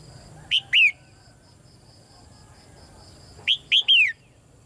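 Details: A red-whiskered bulbul chirps to prompt males into song. Two sharp down-slurred notes, a gap of nearly three seconds, then three more in quick succession, with a thin steady high tone pulsing faintly underneath.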